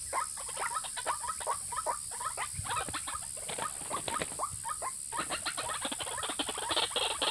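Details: Luring call of the white-breasted waterhen, meant to draw in males and females: dense, raspy chattering bursts, uneven in rhythm, growing slightly louder toward the end over constant hiss.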